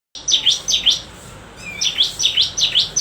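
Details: Bar-winged prinia song: two bursts of sharp, high, V-shaped chirps, each note swooping down then up, delivered in quick triplets with a short gap between bursts.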